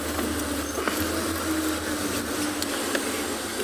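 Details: Steady low engine hum with a faint tonal drone and scattered soft clicks, recorded on an evening drive at sunset; no animal voices stand out.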